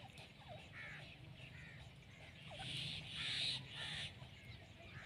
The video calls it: Jangli Teetar ki Awaaz | Teetar Sound | Female teetar ki awaz